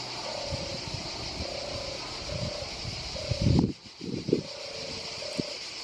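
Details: A European turtle dove in Croatia gives its song of low, purring rolled notes, about half a second each, in a loose series. A steady insect-like hiss, low rumble and a few thumps come through.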